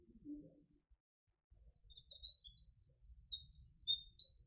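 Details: Winter wren singing, its song so fast it holds about 100 notes in 7 seconds: after a short quiet start, a rapid cascade of high, tinkling notes and trills pours out and continues to the end over a soft low hum.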